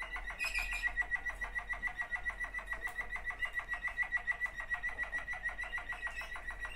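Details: Waterslager canary, one of two sibling birds, singing indoors; a steady, fast, evenly spaced bubbling run of water-like notes, roughly three to four per second, held for the whole stretch.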